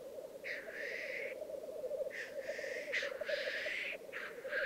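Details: Black grouse males displaying at a lek in the Piedmont Alps, Italy, in 2022: a continuous low bubbling rookoo runs throughout, broken by four hissing, sneeze-like whooshes of about half a second to a second each.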